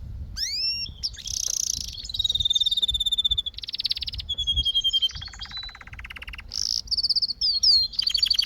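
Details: Canary singing a varied sequence: upslurred whistles, buzzy rolls, a steady pulsed tour, a lower rattling trill and bright sweeping notes to finish.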